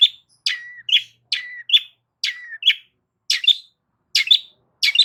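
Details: Long-tailed shrike singing loudly to provoke other shrikes into responding: harsh buzzy bursts, some trailed by a level whistled note, in paired phrases with short silent gaps, about seven phrases in five seconds.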